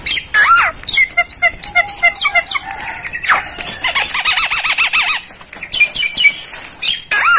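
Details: Black-winged myna master song: a varied medley of clicks, staccato chirps, rapid trilled warbling notes and sharp whistled squeals, loud and continuous.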